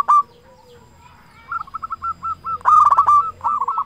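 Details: Local zebra dove singing loudly as a lure for zebra doves; a brief coo opens, then after a soft lull quick clipped notes speed up into a loud rolled burst and more trilled coos.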